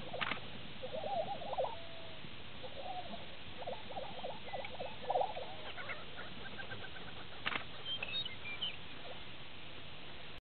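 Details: Male Lesser prairie-chickens displaying on a lek near Woodward, Oklahoma, on 18 April 2009, give bubbling, gobbling notes in quick runs, with sharp cackles and clicks from other males over a steady low rumble.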